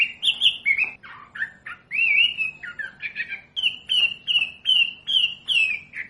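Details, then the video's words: Wambi song for training caged birds: varied slurred whistles at first, then a steady run of short, bright, slightly falling notes repeated roughly twice a second. "SUARA MASTERAN BURUNG WAMBI BELAJAR BUNYI PASTI IKUT NYAUT"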